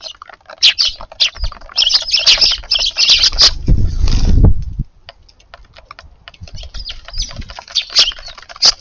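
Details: Sparrows visiting a garden at suppertime in March, their crowded high chirping in bursts, interrupted midway by a loud low rumbling noise, then sparser chirps resume.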